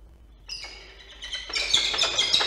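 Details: Pair of peregrine falcons meeting at their nest in Orange, New South Wales, on 16 April 2024: after a quiet start, harsh harmonic calls begin, then swell into loud, rapid, grating chatter over the final second.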